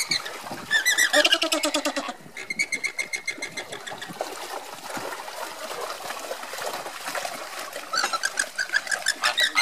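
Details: A marching group of Andean flamingos calls in loud, rhythmic nasal honks, fast repeated pulses in bursts with quieter gaps between, many birds overlapping; faint trickling water behind.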